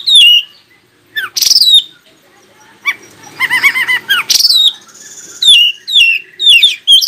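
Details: Oriental magpie-robin song used to prompt other magpie-robins to answer and sing: loud, sharp descending whistles and buzzy notes in bursts, with a short run of rapid stacked warbling notes in the middle.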